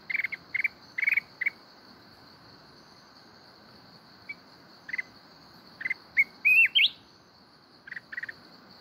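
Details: Red-whiskered bulbul from the mountains in kít bổi style, Binh Thuan. Scattered chirp clusters with quiet gaps, one bright rising looped whistle near the end, and a constant shrill insect hum behind.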